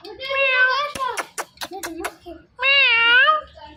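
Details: Parrot talking indoors: two drawn-out nasal, wavering speech-like phrases separated by a burst of sharp clicks and short chattering notes.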